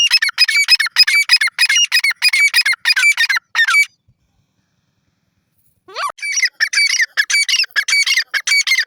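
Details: Desi teetar, the grey francolin, calling loudly in rapid, harsh repeated notes for about four seconds, then silence, then a rising swoop opening a fresh burst of shrill repeated notes.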